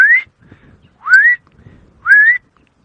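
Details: An unidentified cuckoo gives three clear rising whistles, each about a third of a second long and roughly one second apart, with faint low rumbling. Recorded on a sunrise safari drive at Djuma Game Reserve on 17 October 2016; the bird approaches in a tall marula tree.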